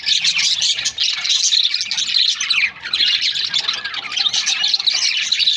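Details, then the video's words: Captive budgerigar breeding pairs chirp in a thick, overlapping chorus of high twittering and scratchy notes, with short quieter moments near one second and just before three seconds. "Budgies parrot chirping sound"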